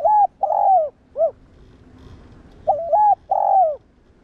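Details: Spotted dove cooing, recorded to stir up and train other doves: two phrases, each a short hitched double note, a long slurred falling coo, then a brief clipped final note, with about two seconds of quiet between.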